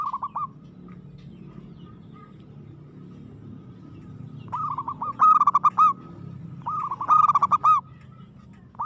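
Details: Aggressive singing by a local zebra dove: repeated phrases of rapid, staccato cooing notes with looping ends, about one every two seconds, over a faint low background rumble.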